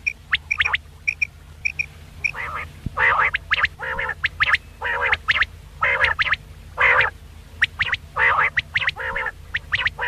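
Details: Quail calling at night, a recording meant for hunting: a few paired high pips open, then a dense series of short rasping, nasal bursts repeats roughly every half second.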